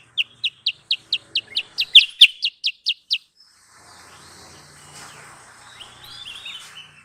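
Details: Lure sound of a sooty-headed bulbul, used to attract birds for trapping: a dozen crisp, high chirps spaced about a quarter second apart, then the calling stops and a faint background hiss remains.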